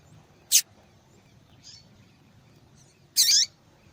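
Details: Female yellow-bellied seedeater calling: a brief high chirp, a faint distant note, then a longer, rich, warbling call with twisting sweeps, all high-pitched over low background hiss.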